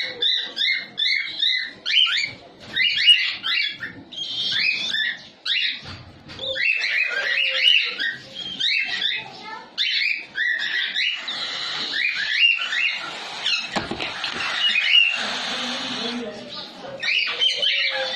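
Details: Newly bred baby cockatiels give a constant chorus of raspy, buzzy, high-pitched calls that overlap and repeat rapidly.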